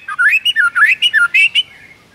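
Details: Murai batu, the white-rumped shama, in lively morning song with rich fill: a rapid warbled phrase of about eight loud, slurred whistled notes shifting up and down, then quiet.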